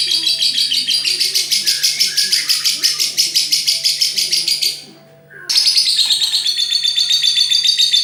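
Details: Lovebird giving its long ngekek trill: rapid, evenly pulsed shrill chattering notes, about three per second, running unbroken for nearly five seconds, a half-second pause, then the high rattling trill resumes strongly to the end.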